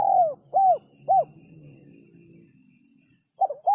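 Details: Spotted dove cooing in the sấm chuông manner, for stimulating males, females and young birds: a long falling coo and two short arched coos, a pause of about two seconds, then two more quick coos begin.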